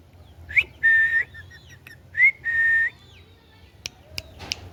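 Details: Two clear whistles from a talking pet green ringneck parrot, each sliding up and then held level for about half a second, followed by quiet clicks.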